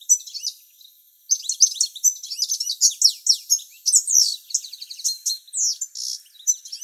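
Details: Male European goldfinch singing a few tens of metres from the nest while the female incubates, late July: after a brief pause, a fast, dense, high twittering of tinkling notes and buzzy trills runs on without a break.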